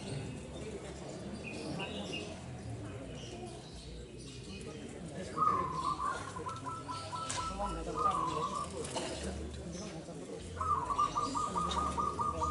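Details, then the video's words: Local-type zebra dove, a lively singer kept as a lure bird, giving rapid staccato cooing phrases: quick runs of clipped notes on one fairly low pitch, two bursts in the second half, over steady background hiss and low rumble. "PERKUTUT GACOR LOKAL SUARA UNTUK PANCINGAN"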